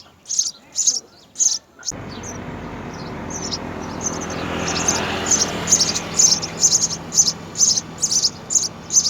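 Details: House sparrow parents feeding three chicks at the nest: a few high chirps, then a rising broadband rushing noise, under which a fast series of thin chirps continues and speeds up.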